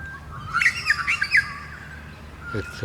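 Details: A butcherbird on a suburban street in Moorooka, Australia, gives a quick run of squeaky, bouncing 'eek' notes over about a second, followed by a few soft knocks; this differs from its screech call.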